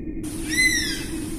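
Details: A single whistled call from an Oriental honey buzzard, a clear note that rises briefly and then falls away with bright overtones, against a constant low background hum.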